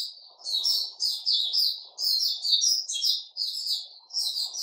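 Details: Caged sooty-headed bulbul, 10 July 2021, singing steady back-to-back bursts of bright chirping and warbling, each about half a second long, over a soft low murmur.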